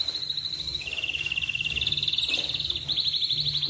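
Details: Atlantic canary in the morning, singing to spur other canaries into song: a high steady trill drops to a lower, fast-pulsed rolling trill, then climbs back to quick repeated high chirps, with a low hum underneath.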